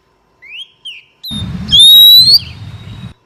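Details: Female Oriental magpie-robin calling to stimulate males: two soft short rising whistles, then one loud, clear, upward-sliding whistle held about half a second over a low background hum.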